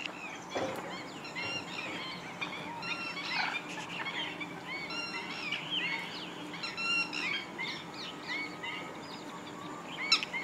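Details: A flock of Black-winged stilts, among thousands of wetland birds at Gathera bird sanctuary, Gujarat, India, calls continuously: sharp, nasal, yelping notes overlapping in a busy high-pitched chorus, several a second.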